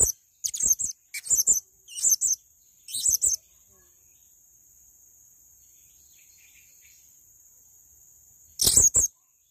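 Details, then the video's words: A male blue-crowned hanging parrot gives four quick bursts of shrill high squeaks, then falls silent over a faint hiss for about five seconds before one final loud burst. "Masteran Burung Serindit Jantan Untuk Gacoran"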